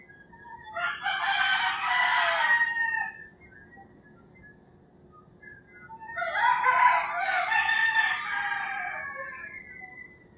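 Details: Two long, coarse crows from roosters in the early morning in the rural Philippines, each lasting roughly three seconds with a silent stretch between. Faint background hum is heard.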